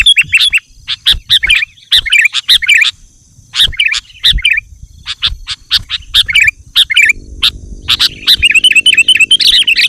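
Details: Sooty-headed bulbul singing vigorously to call wild bulbuls: bright, bubbly chirped phrases in short repeated bursts with brief pauses, a steady high background tone, and a low droning hum entering near the end.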